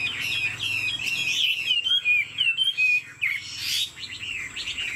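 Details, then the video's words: Caged Chinese Hwamei, 90% pure-bred, singing with head-nodding 'lion dance' display and wing play: rich, varied whistled phrases, slurred up and down, pouring out in rapid bursts with brief pauses, some sharp high notes. "Họa mi thuần 90%, chơi cánh, hót gật gù múa lân"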